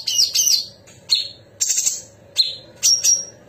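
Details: Sooty-headed bulbul, locally cucak cungkok, in a varied tutor recording of sharp songs. It gives short high separate notes: clipped chips and thin level whistles spaced irregularly, roughly one every half-second.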